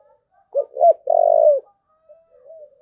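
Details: Spotted dove cooing: two short hollow notes followed by a long, steady, low coo, then a faint softer coo trailing off; quiet indoor-sounding background.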